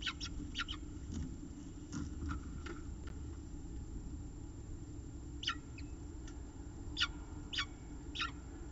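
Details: Peregrine falcon at the nest with food on an October afternoon, 3:50 pm: short, sharp downward-sweeping chips given singly or in quick pairs, with gaps of a second or more, above a constant low mechanical hum.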